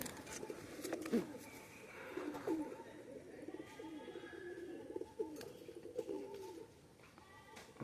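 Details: Pakistani high-flyer domestic pigeons give low, throaty, rolling coos, repeated in uneven bursts.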